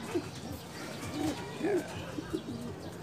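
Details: Racing homing pigeons at a small loft during a derby, soft low coos and short rising-falling grunting notes repeated every half second or so, outdoors with faint background noise.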